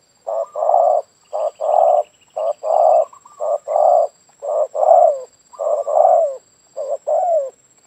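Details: Spotted dove heard in a yard during decoy trapping, cooing in soft, mellow paired notes, a short coo then a longer drawn one, about once a second, over a faint high whine.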